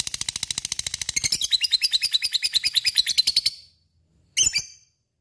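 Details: Lovebird rattling out a quick ngekek phrase of piercing, fast-repeated high pulses that rise in loudness, cut off after three and a half seconds, followed by one harsh call.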